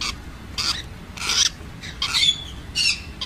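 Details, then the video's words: Rosellas of various colour mutations give harsh, scratchy squawks in short bursts about every half-second to second, with a faint whistled note near the middle. "جميع طفرات الروز"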